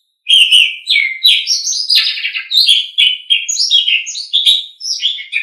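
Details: An Asian pied starling, a caged songbird, sings continuously in a training recording: a busy, varied stream of slurred whistles, harsh chattering notes and rising squeaks with no pauses.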